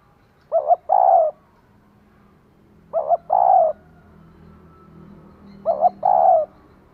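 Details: Three repeated phrases from a female spotted dove arousing a male: a quick two-part coo leading into a held coo, spaced roughly two and a half seconds apart over faint low hum.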